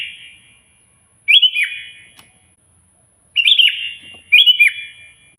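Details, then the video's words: Sooty-headed bulbul (kutilang), a loud lively singer calling a rival: three short bubbly phrases of fluty notes, each falling then trailing off in a reverberant tail, separated by pauses of one to two seconds; a faint steady high tone runs throughout. "suara burung kutilang gacor keras, paling ampuh memanggil lawan auto emosi"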